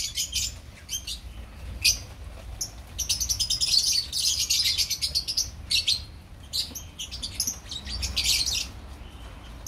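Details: Opaline lovebirds in a colony: dense, high chirps and squeaky tweets from many birds overlap in bursts, busiest in the middle, with a low background rumble.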